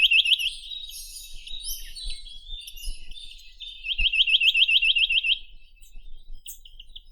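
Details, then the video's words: Chinese nuthatch trilling: a brief burst of upslurred notes at the start, then a longer even trill of about twelve sharp notes, with high twitters of other birds in between. "Как поёт Поползень косматый (Sitta villosa)"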